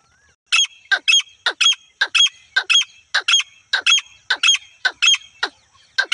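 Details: Harsh, strident paired notes of a female grey francolin, a call used for hunting, given in a steady fast series of about two per second with no other sounds.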